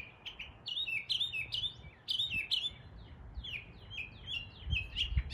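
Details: Northern mockingbird imitating neighbourhood birds in East Tennessee, pouring out fast strings of downslurred whistles and bright chirps, each motif repeated two or three times before switching.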